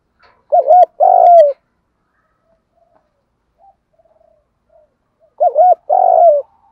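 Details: Two phrases of a spotted dove's lure cooing in the thúc gù style, about five seconds apart. Each is a quick wavering double note and then a sustained burry coo sliding down at the end; faint soft notes fall between them.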